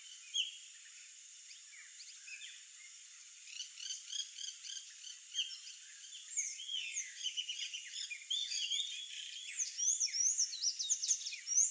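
Sayaca tanager song: a hurried jumble of thin, squeaky, high notes that starts sparse and grows denser and more continuous toward the end.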